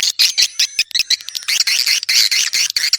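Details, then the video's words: Swiftlet calls: dense, continuous twittering of rapid chirps and buzzy trills, with sustained thin high tones running through the first half. "suara walet handal"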